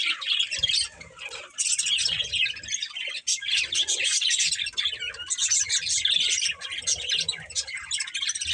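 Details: A breeding pair of budgies chatters steadily: high, grating warbles and quick chirps run almost without pause across more than eight seconds, with soft low knocks in the background.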